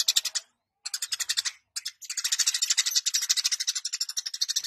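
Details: Eurasian tree sparrow (Passer montanus) in full, energetic song, delivering dense bursts of rapid, bright, high-pitched chirps, broken by two short silences before a long unbroken chattering run.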